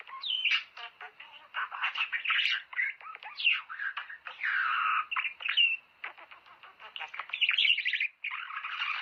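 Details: Budgerigar song played to stimulate mating: continuous lively warble of chirps, squeaks, rasping buzzes and rapid clicks, rising and falling in loudness with barely a pause.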